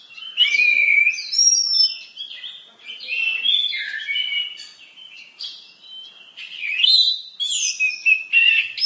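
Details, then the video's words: Orange-headed thrush delivering a continuous, fast song of mixed whistles, slurred notes and twittering trills, steady and loud throughout, used as a tutor song for training. "Berbagai kicau burung anis masteran"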